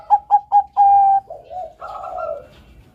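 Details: Zebra dove of the Bangkok perkutut type, melodious training song: three sharp evenly spaced coos and a long held note, then softer, lower murmuring coos fading away.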